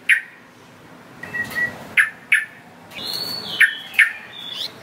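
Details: Sooty-headed bulbul calls used to lure wild bulbuls: scattered short sharp chirps near mid pitch, some paired, with a brief thin whistled note and a longer upslurred whistle, over faint background hiss.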